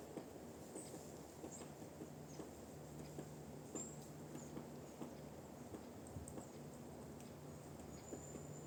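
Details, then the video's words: Woodpecker knocking on a tree in a forest, heard from a distance during a walk: faint, sharp, irregular taps, roughly one or two per second, with thin high bird calls and a steady low hum in the background. "Дятел в лесу, стучит по дереву"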